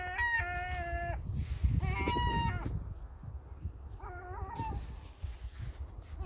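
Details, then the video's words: Gulls calling while feeding: loud, nasal, level wailing notes with rich overtones, given in three bursts of several quick syllables with short gaps, over a steady low rumble of background noise. "seagulls feeding"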